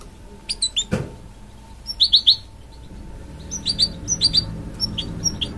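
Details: Mule bird bred from a goldfinch and a canary gives scattered short chirps in small bursts of two or three, separated by pauses, with a single sharp click near the start.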